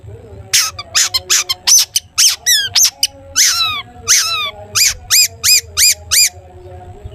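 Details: Long-tailed shrike singing to provoke other shrikes: a series of loud harmonic clipped notes, some down-slurred, delivered about twice a second in an even run, over a steady low hum.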